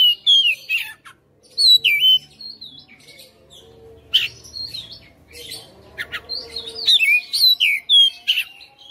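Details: Oriental magpie-robin (kacer rumahan) in full fighter song showing its fill notes: rapid loud whistled slurs and chips, roughly three per second, with a quieter middle stretch and faint low hum.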